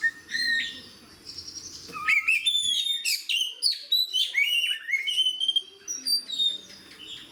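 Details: Oriental magpie-robin in fighting song, described as fierce and showy beside other magpie-robins. A soft whistled opening gives way to dense bursts of sharp chirps, trills and shrill sliding whistles.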